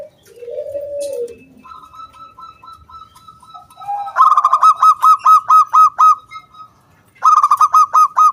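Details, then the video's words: Local zebra dove singing loudly to lure other doves into song: after a soft low coo and a long thin tone, bursts of rapid, clipped, ringing notes run in quick even series near the end. "SUARA KRISTAL KUNG BULAT PANCINGAN SANGAT AMPUH BURUNG PERKUTUT GACOR MANGGUNG"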